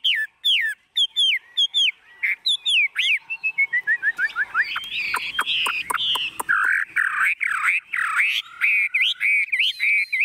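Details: Tame caged Chinese hwamei singing in a shaken, hand-carried cage: quick looping whistled notes, a run of rapid sharp clicks and trills, then loud wavering, swooping whistles repeated in varied phrases.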